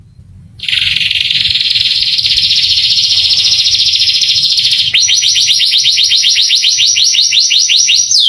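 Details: Canary song intended to excite young canaries into singing; a long, buzzy, sustained trill lasting about four seconds, then a fast series of sharp downward-sweeping notes, all high-pitched and loud.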